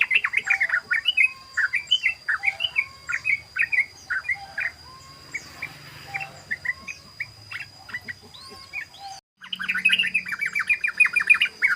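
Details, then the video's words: {'caption': 'Long ropel song of a sooty-headed bulbul: rapid chattering phrases repeated in steady bursts, a short dip in the middle, then a renewed fast stream of warbling notes over a faint high hum.'} "SUARA BURUNG TRUCUKAN ROPEL❗❗❗BURUNG TRUCUKAN NGEROPEL❗❗❗"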